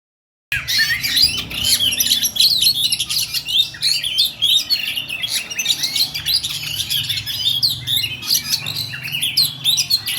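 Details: Songbird in a rapid, tightly packed rolling song: dense high chirps, whistles and sharp notes tumbling without pause after a brief silent start, with a low hum underneath.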